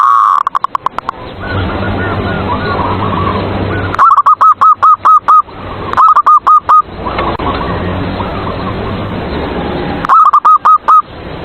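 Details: Zebra dove lure song meant to provoke caged rivals into singing: repeated bursts of five to six quick, even coos every two seconds or so, with softer cooing from other doves and low hum between bursts.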